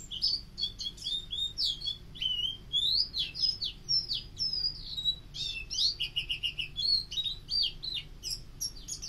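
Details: White-eye; song; tutoring other captive birds to learn song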